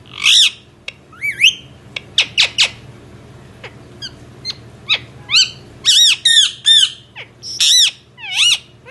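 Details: Indian ringneck parrot calling indoors with scattered clicks and quick descending chirps, then a burst of loud, rich, arching squawks repeated about every third of a second, over faint low hum.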